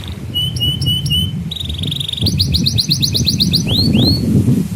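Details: Canary song meant to tutor young canaries and prompt silent ones: clipped flat whistled notes in quick series, a run of rising chirps about four a second, then two looping whistles, over steady low rumbling background noise.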